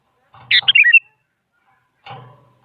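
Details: Sooty-headed bulbul song used as a lure to get silent bulbuls to answer: one quick bubbly phrase of slurred, falling whistled notes, followed by a short low rumbling noise.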